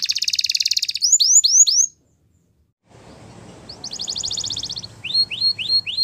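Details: Waterslager canary training song: a fast rattling trill near 4–5k, then a run of rising-falling upslurred whistles, a brief silence, then another rapid trill and more repeated upslurred notes over faint low background noise.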